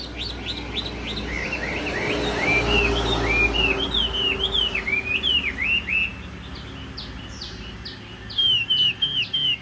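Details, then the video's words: Caged Chinese hwamei singing with no female present: a rapid run of looping, slurred whistles around mid-high pitch, repeated several times a second, with brief gaps and a faint low hum beneath. "Họat Họa Mi"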